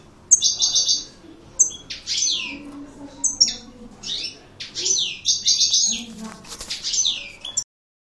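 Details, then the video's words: Aggressive 'coupleur' song of a European goldfinch, called maknine: rapid high buzzy trills alternate with sharp descending slurred notes and twitters, in repeated bursts, before ending abruptly in silence. "Chant maknine Chardonneret Coupleur Agressif"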